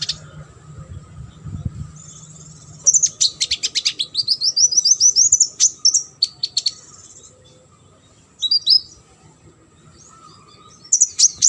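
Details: Sunbird song used as a tutor recording for competition birds: after a quiet start, a fast burst of high, thin chirps and a rising trill, then scattered sharp notes and a final high chatter. A low hum runs underneath.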